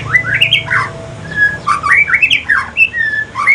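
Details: White-rumped shama from Aceh singing in the evening, its song shifting into the pastol style: a rapid, varied run of loud whistled notes, slurred up and down, with short squeaky flourishes and brief pauses.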